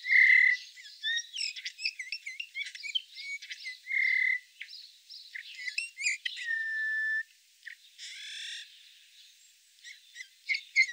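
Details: Eurasian bullfinch (Pyrrhula pyrrhula) in Norway giving soft, level piping whistles, a few drawn-out notes spaced seconds apart, over a busy mix of high chirps and twitters from other birds.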